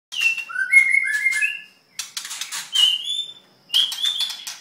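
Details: White-rumped shama singing while halfway through molt: clear whistled phrases stepping up and down, mixed with sharp rapid chips and high buzzy notes, in three bursts separated by short pauses.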